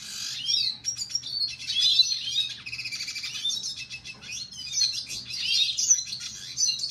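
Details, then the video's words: Red siskin in sustained song, a dense, continuous high twittering and buzzing warble with rapid trills, lasting throughout. "Red Siskin"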